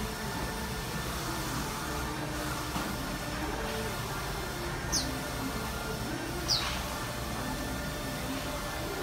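Warbling white-eye giving two thin, very high, sharply sliding call notes about a second and a half apart over steady background hum and hiss.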